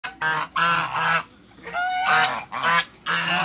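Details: A pair of large African geese kept in a backyard with other waterbirds gives loud, harsh, nasal honks in four long bursts with short silent gaps between them.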